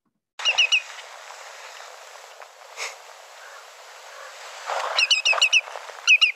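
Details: A lesser yellowlegs calls in quick bursts of clear, high, slightly ringing whistled notes, about four, then five, then a shorter run, over soft hiss; the notes are chevron-shaped on a spectrogram.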